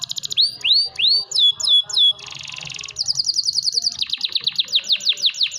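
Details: A prize-winning competition canary kept as a caged pet sings energetically. It gives a few downward-swooping whistles, then a dense buzzy burst, then a fast run of sharp high repeated notes.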